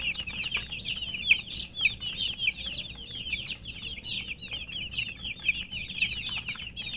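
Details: Coloured chicken chicks thirsting for water chirp continuously: many bright, high, downward-sliding peeps crowding together, occasional louder individual cheeps standing out, with a soft low background rumble.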